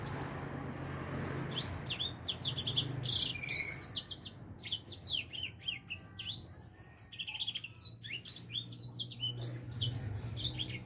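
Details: Young edel sanger finch, four months old and beginning to sing, delivers a dense, fast stream of high sweeping chirps and trills, with a soft low hum underneath.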